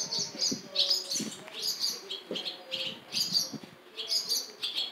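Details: Barn swallow chicks in a nest by the Jeongseon bus terminal, Gangwon-do, Korea, crying to be fed by a parent, recorded on a smartphone. Bursts of high, thin chirps repeat every half second, with faint low rumbling underneath.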